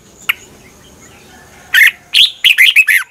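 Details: Red-whiskered bulbul morning training song: after a single sharp note, a rapid string of six loud, rich, slurred chirps rising and falling in pitch.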